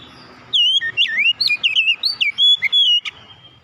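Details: Fluid oriental magpie-robin song: a continuous string of swooping, warbled whistles and short high flicks lasting about two and a half seconds, over faint low background noise.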